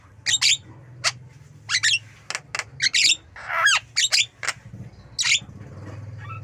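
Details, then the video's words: Javan myna calling: a loud series of harsh, buzzy squawks and sharp clicks, some with rising and falling tones, given in short bursts over a low steady hum. "Jalak Kebo Bird Jalak Kebo"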